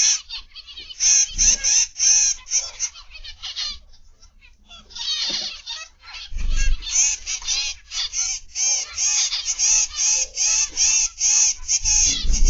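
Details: Many zebra finches calling in an aviary, afternoon of 29 November 2021; bright, nasal trumpet-like notes pour out in quick overlapping runs, thinning briefly around the middle before building again, with occasional low thumps.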